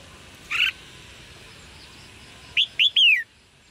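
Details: Red-whiskered bulbul calls intended to encourage male singing: one harsh buzzy note, a pause, then three quick whistled notes, the last longest and sliding downward.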